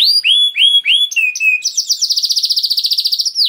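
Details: Singing canary, played to coax other canaries into song: several clear downslurred whistles, a pair of lower slides, then a fast, buzzy rolling trill repeated rapidly to the end.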